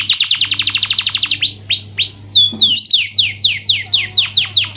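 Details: Canary song for coaching lazy canaries: a fast trill of falling notes, then slower rising swoops and high whistles, followed by a run of long downward-sweeping notes.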